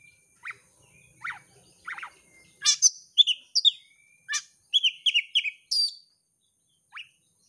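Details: Oriental magpie-robin, a champion competition bird, singing to bait another bird: three spaced buzzy notes, then a lively run of bright whistled and slurred chirps, ending with one lone note.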